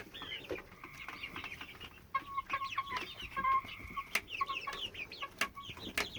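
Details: Young hen of 10 to 12 weeks, which has made this constant sound since May 22, 2017 while otherwise acting fine: steady, held, tonal notes with an overtone, laced with quick high chirps and sharp clicks.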